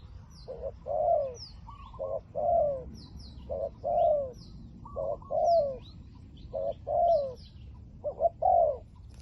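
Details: Spotted dove kept as a decoy to lure wild doves, liu tan voice: evenly spaced coo phrases, a clipped note leading into a falling drawn coo, about every one and a half seconds, with high bird chirps above.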